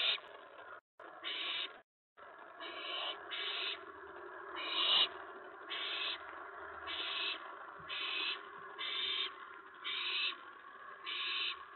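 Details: Owl at the nest during a mouse delivery before dawn, 4:46 AM on 15 May 2017; harsh, breathy hissing bursts repeat steadily about twice a second, each short and noisy, with a few brief silent gaps.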